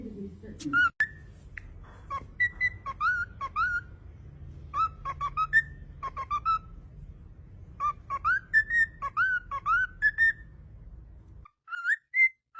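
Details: Cockatiel singing a melodic sequence of short pure whistles, rising and falling slurs repeated in phrases, over soft background hum that cuts out near the end.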